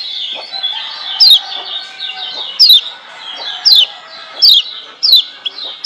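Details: A lemon-bellied white-eye (Lombok kecial kuning) sings a continuous high, twittering warble, broken about every second by sharp, bright, descending whistled notes.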